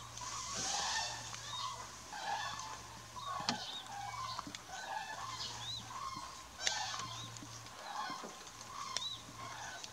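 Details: Many common cranes in fog near Mariëndrebber, Diepholzer Moor lowland, give loud rolling trumpeting calls overlapping in waves over a faint steady low hum.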